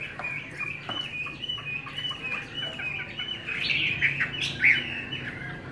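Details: Forest-voiced Chinese hwamei kept on homemade bran, giving a softer stream of short whistled notes that grows busier and more excited near the end.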